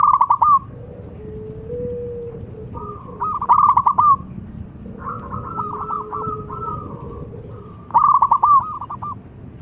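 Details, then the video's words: Local zebra dove singing vigorously with a big voice, used to draw out singing in other doves: short bursts of rapid, pulsed cooing notes repeated about every three seconds, with a softer, lower, steady tone between bursts. "Perkutut Lokal Gacor Suara Besar Penarik Bunyi"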